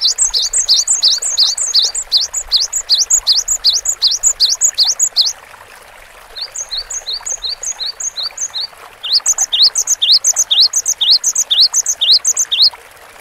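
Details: Cinereous tit (gelatik batu) in vigorous gacor song, bright two-note whistled phrases repeated rapidly in long regular runs, about three per second, with short pauses between series.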